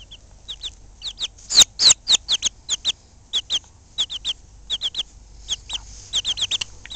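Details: Ameraucana chicks aged one and two weeks give loud, high, downslurred peeps in rapid runs and pairs, about three or four a second with brief pauses, a few sharper louder notes in the middle, quiet low hum beneath.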